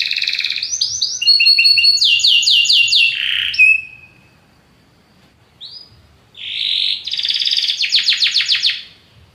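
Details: Belgian canary singing strongly: fast rolling and sweeping phrases ending in a thin whistle, a quiet gap, then a rising note and a loud pulsed trill.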